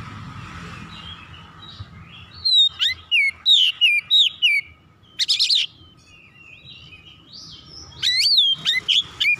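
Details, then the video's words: Oriental magpie-robin (kacer) singing agitatedly and showing off its full repertoire: after a quiet start, bursts of loud, sharp whistled notes with rising and falling slurs in quick runs, a pause, then another whistled burst near the end. "KACER GACOR MEMANAS NAIK EMOSI BONGKAR ISIAN"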